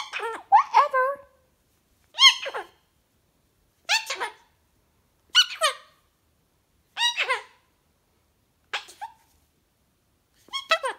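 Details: Indoor Goffin's cockatoo vocalizing near its owner: a series of about seven squeaky, chattering bursts, each made of quick descending notes, repeated every one to two seconds in a quiet room.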